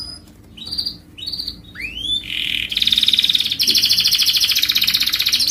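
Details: Canary singing on a master recording meant for tutoring other birds: a few separate rising whistles and a falling sweep, then long, dense, buzzy high trills that continue to the end.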